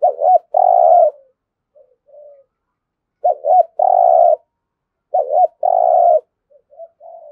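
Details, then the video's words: Competition cooing of a spotted dove from Đồng Nai, Vietnam, local voice: three strong phrases of a quick stuttered pair of notes plus a sustained coo, with faint distant cooing in the pauses. "cu gáy thúc gù kinh thiên động địa vang cả xóm Đồng Nai, cu gáy gù đấu"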